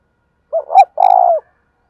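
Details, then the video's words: Spotted dove performing a single đồng thổ style coo: two brief notes, the second strongest, then a steady vibrating hoot about half a second long, clear and close. "cu gáy giọng đồng thổ"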